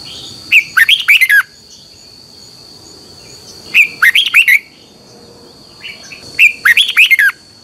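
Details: Red-whiskered bulbul in morning training song, the 'xoắn tít' double-voiced twisting style, intended to train birds. Three sharp, warbling phrases repeat about every three seconds, with a few faint notes before the last.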